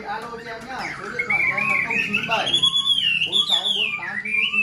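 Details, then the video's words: A tame, hand-reared caged Chinese hwamei with one white wing feather sings a loud, rich run of rising and falling slurred whistles mixed with quick buzzy notes; a man's voice murmurs early on. "Chim thuần sách tay hót, đấu tốt - Hoạt Họa Mi"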